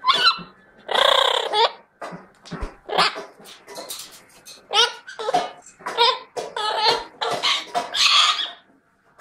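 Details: Rapid, chattering harsh squawks from a Chestnut-fronted macaw, a long grating screech early on, then a dense run of rough, broken calls.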